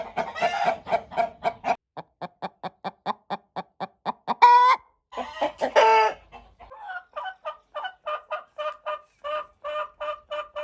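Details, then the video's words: Chickens and roosters calling: long runs of short repeated clucks, about two per second, broken by two loud, strained crowing bursts midway, then more clucking. "Sounds of roosters and chickens"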